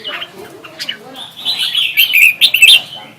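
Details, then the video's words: Red-whiskered bulbul in competitive singing: quiet scattered chirps that build into a louder run of bright whistled, slurred notes toward the end. "Chào mào hót đấu"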